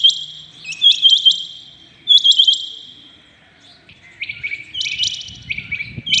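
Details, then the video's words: Calling rain quail early in the morning: clusters of clear, high metallic notes, a pause, then lower-pitched repeated notes in quick succession, with faint low rustling. "Rain quail calling 2021 | common quail calling early in the morning"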